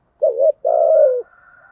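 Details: Spotted dove decoy calling wild doves in: a wavering short coo and then a longer, level, low coo that sinks at the finish, with a faint hum trailing afterward.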